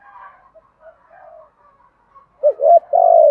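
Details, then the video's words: Lure spotted dove cooing in the 'thúc gù' style: faint low mumbled notes at first, then a loud burst of two quick hooting notes and a sustained, smooth, deep coo that carries to the end. "Tiếng chim cu gáy giọng bài bản/ chim cu gáy THÚC GÙ bài bản"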